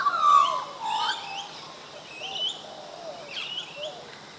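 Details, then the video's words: Australian magpies carol at Coffs Harbour in mellow, flute-like whistles: a strong low note first, then overlapping warbles and higher bubbling phrases that fade softer toward the end. "Magpies Singing"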